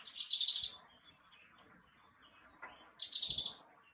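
A great tit gives two high, thin, rapid bursts of notes, each under a second, about two and a half seconds apart, against quiet background.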